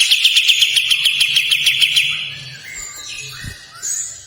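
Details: Kapas tembak bulbul giving a long, rough rasping song: a rapid rattle of harsh notes, about three per second, held for two seconds, then quieter scattered calls.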